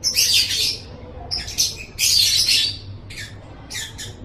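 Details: Lovebird song from a masteran training recording meant to build a pet lovebird's voice: harsh, buzzy, high-pitched chattering bursts, three long phrases followed by two short ones over four seconds, with a faint low hum behind.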